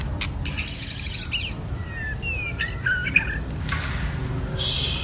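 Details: White-rumped shama of two seasons, trained for singing stamina: a rapid high trill followed by scattered clear whistled notes and a buzzy closing burst over steady low hum.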